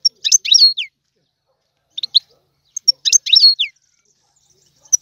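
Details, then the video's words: Goldfinch singing in the tiwawati style, two twittering phrases about two and a half seconds apart, each a quick cluster of high chirps ending in downward-sliding notes, with isolated short tweets between; quiet background. "تغريد الحسون طيواواطي"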